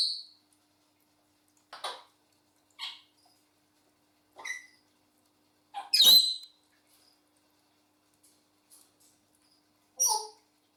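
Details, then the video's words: African grey parrots, two pets kept indoors, making short scattered clicks, squeaks and harsh broadband squawks spaced a second or two apart, with one louder screech in the middle. "MY AFRICAN GREY PARROTS MAKES NOISE AND WHISTLES"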